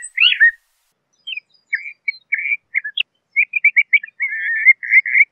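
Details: Singing LeConte's thrasher: one loud sweeping phrase, a pause, then a lengthening series of short chips and notes building into a fast, burry warbled run.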